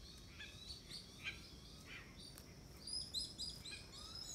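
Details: Black-winged Petrels on Phillip Island, Norfolk Island group, in January 2018 give thin, high chirping whistles, several overlapping at about four a second, over a soft steady background hiss.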